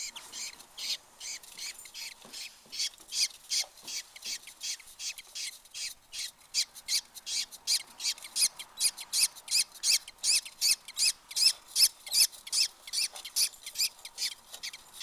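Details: Budgerigar chicks, two and four days old, give a rapid series of raspy, hissing chirps, about two or three each second.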